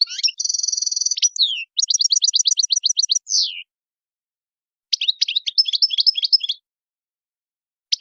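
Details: European goldfinch performing a strong Tadmait song for tutoring young birds in faultless singing. A nasal buzz opens into a fast, even run of repeated clipped notes ending in a down-slurred note. After a pause comes a jumbled twittering burst.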